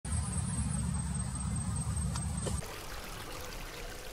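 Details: Loud low engine rumble with a thin high whine that cuts off midway, leaving a softer broad background hiss.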